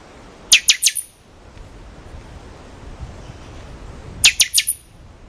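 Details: Buffy-fronted seedeater, called pixoxó in Brazil, singing: two brief bursts about four seconds apart, each of three or four sharp, rapid, high descending notes, over a steady low background hiss.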